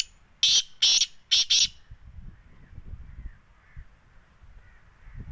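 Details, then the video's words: Black francolin, known locally as kala teetar, in Sindh, Pakistan: four loud, harsh, grating notes delivered in a quick burst of just over a second, the last two run close together, then quiet with low background rumble. "kala teetar"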